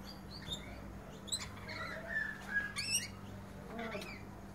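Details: Rainbow lorikeets feeding give shrill, scratchy screeches and short chirps in irregular bursts, over a steady low mechanical hum.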